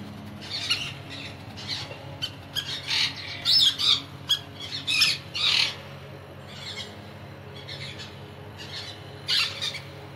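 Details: Crimson-bellied conure giving harsh, buzzy squawks in irregular bursts, some clustered closely around the middle, others spaced a second or more apart, with quieter squawks between and a faint low hum underneath.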